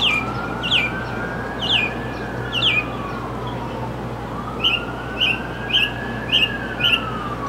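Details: Mockingbird repeating a sharp descending whistled note several times, then switching to a series of short higher chips at a steadier pace, while a slow rising and falling tone and hum run behind.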